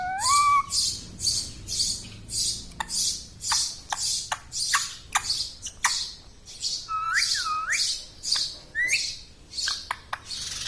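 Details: A pet talking parrot, said to say "mithu", "mummy", "papa" and "radhe radhe", gives a run of harsh, rasping screeches about twice a second, broken by a few clear, wavering, speech-like whistled phrases.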